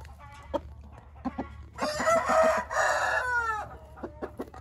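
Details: A Hint rooster, an Indian game fowl, gives one loud, rough crow lasting about a second and a half, with a short break near the middle and a falling tail. Soft clucks and short calls come before and after it.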